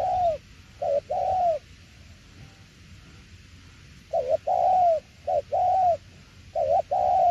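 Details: Spotted dove performing the "tiểu liên nước" coo: a few low, soft two-part phrases, a clipped note followed by a longer arched coo, then a pause of about two and a half seconds before three more phrases follow quickly.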